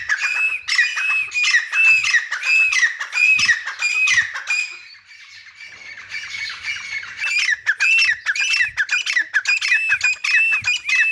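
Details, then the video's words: Grey francolin, or teetar, playing in mud and calling: a long loud run of harsh, arched, squawking notes, about one or two per second, easing briefly midway, then resuming strongly with ringing looped notes. "Teetar ki awaz | Teetar Playing in Mud and Making Sounds | Gray Francolin Beautiful Voice."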